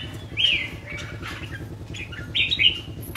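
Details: Caged red-whiskered bulbul kept as a songbird, giving two short bright whistled phrases, the first sliding downward, the second a quick rising-falling warble, with a low steady hum underneath.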